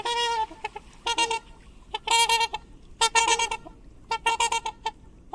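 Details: Swan giving loud nasal honks in quick clusters of two to four, each call strongly harmonic and brassy, with short pauses between groups and low steady background noise.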